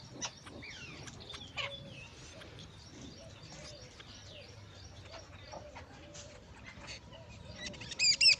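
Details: Jungle babbler calling outdoors: a busy, scratchy chatter of short harsh notes and brief rising squeaks, with low background rumble and a burst of sharp high notes at the end.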